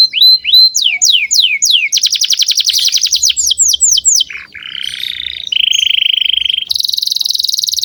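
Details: A strongly singing canary, recorded as a lure for young canaries, runs through rising sweeps, a rapid buzzy trill, more sweeping notes, then several sustained trills at different pitches.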